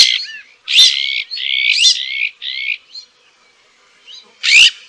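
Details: Azure-winged magpie (Cyanopica cyanus) giving harsh, rasping, buzzy calls, four or five in quick succession, each about half a second, with a short squeaky note near the end.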